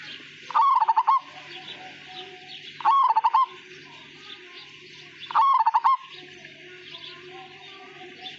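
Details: A gacor, ngayer zebra dove of the Majapahit perkutut type repeating its song: three loud, stuttering coo phrases about two and a half seconds apart over low background murmur.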